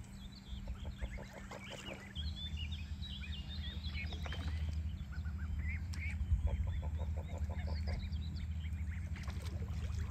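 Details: Curious ducks on a farm calling in quick rapid runs of short nasal notes, bursts repeated through the stretch over a constant low hum and background rumble.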